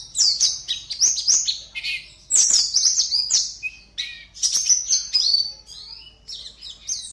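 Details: Competition white-eye, a caged bird from Pontianak in West Kalimantan, Indonesia, delivering fast, high-pitched chattering song: bright, piercing chirps and quick descending slurs strung together in bursts roughly every second, with no other clear sounds.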